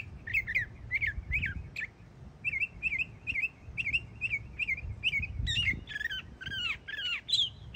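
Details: Young Florida mockingbird singing: a string of repeated short whistled notes, then louder downward-sweeping slurred phrases, each pattern given several times in a row over low rumbling background.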